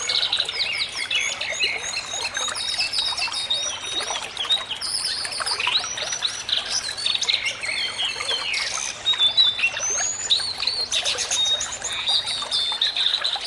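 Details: Sunda laughingthrushes (Garrulax palliatus) sing in a busy chorus of overlapping whistles, squeaky chatters and rising notes, with no pause, over a faint steady hum.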